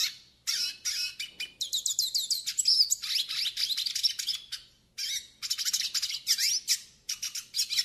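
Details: A Yellow-faced siskin (pintassilgo do Nordeste) pours out a long, lively high warble for tutoring and warm-up, mixing fast chirps, looping slurred whistles and buzzy trills, broken by one short pause.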